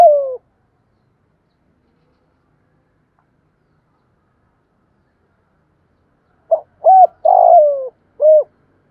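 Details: Spotted dove cooing in the thổ pha style, used as a lure to get newly caught doves to coo: one low falling coo, a long silence, then a phrase of four soft hooting coos, the third drawn out and falling.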